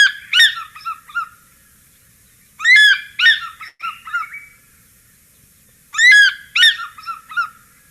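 African Fish Eagle: loud, ringing yelps thrown back in quick falling series, three bursts a few seconds apart; nothing else heard.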